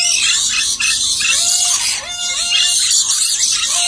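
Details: Two dusky lories screech almost without pause, a dense harsh hiss with short nasal whistled notes rising and falling through it, barely dipping between outbursts.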